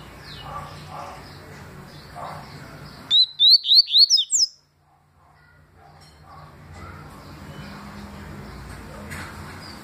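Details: Papa-capim seedeater song: a rapid string of about six bright whistled upslurred notes lasting about a second and a half, amid background noise and scattered faint sounds.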